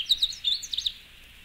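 Canada Warbler song: a quick, jumbled burst of high, sweet chips and slurred notes lasting about a second, then quiet.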